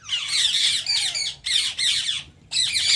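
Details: Several Indian ring-necked parakeets squawking: raspy, broadband screeches in long rough bursts separated by short gaps, with a faint downward whistle heard once in the background.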